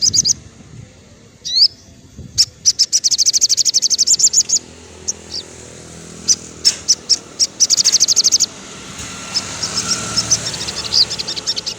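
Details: Sogon in afternoon song, for caged birds out of condition: a rising slurred note, then bursts of rapid, very high trills broken by short pauses and single chips, ending in hissy background.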